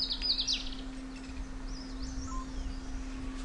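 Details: A dark grey bush chat (Saxicola ferreus) calls: a quick burst of high, scratchy notes in the first second, then fainter thin whistles, over a steady low hum.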